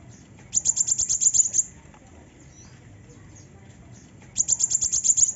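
A female sunbird gives two bursts of about ten very high, sharp chips in rapid series, each lasting about a second and about three seconds apart.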